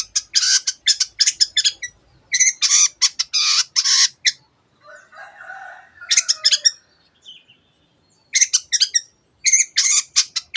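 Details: Long-tailed shrike singing energetically in a teot teot style, used to excite other birds into singing: bursts of dense, harsh, high chattering notes in fast runs, broken by pauses, with a softer lower warble midway.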